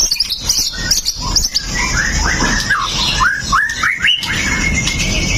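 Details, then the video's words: White-rumped shama (murai batu) of the pastol song style, a sharp-firing fighter bird, recorded on a Xiaomi Note 8 Pro, singing to provoke other shamas: quick high whistled flourishes, then a string of rising slurred whistles over steady background hiss. "MURAI BATU PASTOL JAHAT BIKIN MURAI LAIN TIDAK BISA DIAM!"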